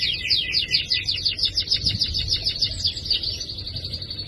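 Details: Canary song meant to provoke a reluctant canary to sing: fast pulsing trill of repeated notes about three per second, shifting into a smoother rolling trill, over faint low hum.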